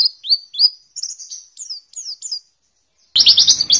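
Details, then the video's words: Oriental white-eye song meant as a lure for silent lovebirds: clear, high whistled slurs, some rising and some falling, spaced a half-second apart, then a sudden dense, noisy burst of twittering at the end. "Suara pancingan pleci macet bunyi"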